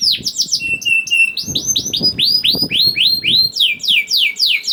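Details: Canary, young kenari paud, singing as a lure for quiet canaries: mixed whistled slurs and fast curved chirps repeated about three to four times a second, with faint low bumps beneath.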